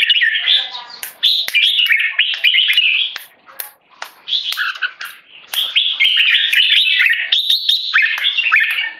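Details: Red-whiskered bulbul, a tame Singapore-raised male, calling keke under the stress of human disturbance: fast, irregular bursts of harsh, bright chattering notes, about four a second, with a short pause near the fourth second.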